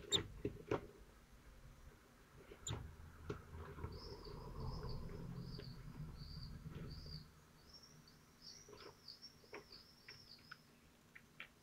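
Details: Common kestrel nest in Théding, France, 25 June 2023, at feeding time with prey pulled apart; after clicks and a low rumble, a run of about a dozen high whistled notes follows in quick succession.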